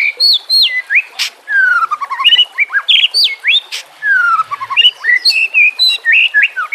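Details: White-rumped shama (murai batu) singing for use as a training recording for caged birds, set against nature sounds and trickling water: rich, varied whistled phrases sweeping down and up, fast chattering notes and sharp high clicks.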